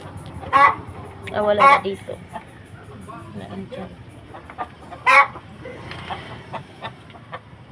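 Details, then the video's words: Hen cackling after laying one egg: loud harsh squawks and clucks scattered among quieter notes, with people talking and clapping in the background. "ito ang boses ng manok pag tapos na mag etlog"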